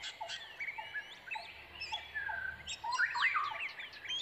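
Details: Begging Brown Prinia young, excited as they wait for a parent bringing food: quick chirps and slurred whistles tumble over one another, growing louder and more frantic toward the end.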